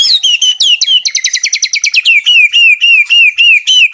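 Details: White-rumped shama singing actively at a bird farm: bright, high whistled notes, a dense burst of fast stuttering trills, then evenly spaced, downslurred whistles repeated about four times a second.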